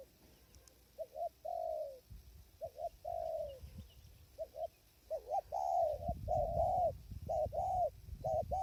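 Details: Spotted dove cooing at a decoy trapping blind in strong wind, with wild birds distant; repeated paired coos, a short note then a longer falling one, about one per second, growing louder, with gusty low wind noise.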